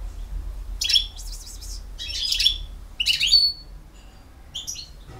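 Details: European goldfinch from BiH in campero song: separate bursts of scratchy, buzzy twittering notes with gaps between, over a low background hum.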